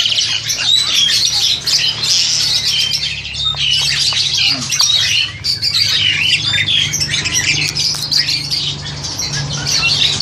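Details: Caged Crested Myna, roughly seven to eight months old and ready for breeding, phone-recorded; long stretch of harsh squawks and scratchy chatter, busy and unbroken, with a brief lull midway and a steady low hum.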